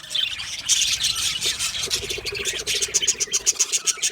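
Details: Budgerigars in an aviary colony chirping together: dense, overlapping high twittering chatter, with sharp clicks and short tweets repeating quickly in the final second.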